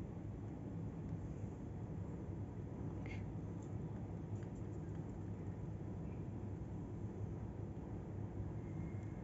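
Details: Dense low rumble of passing vehicles fills the recording throughout, with only a few faint high ticks above it.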